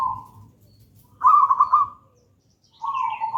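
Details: Zebra dove, local wild gedang rojo type, singing as lure and master song; a short coo, then a bright pulsed trilled coo, silence, and a final level coo with a faint higher chirp above.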